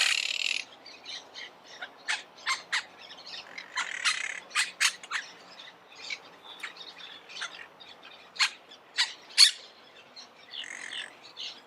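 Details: Monk parakeets chattering: many short, sharp, scratchy chips and screeches scattered irregularly, mostly moderate in volume with a few louder peaks.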